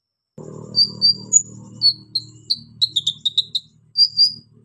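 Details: Pygmy cupwing, described as a female calling a male: a series of high thin whistled notes, some level and some falling, then a burst of quick clipped chips, ending with two longer whistles over a low steady hum.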